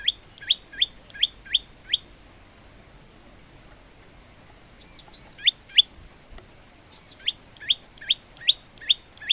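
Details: Varied singing from a male olive-backed tailorbird: a quick series of sharp chirps, a pause, then softer hooked notes blending back into rapid bright chirping. Recorded as tutor song for other birds.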